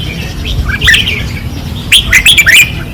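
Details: In Pattani, 2024, red-whiskered bulbuls sing hard on a practice perch. Slurred whistled notes give way to a louder, quick run of bright, bouncing phrases near the end.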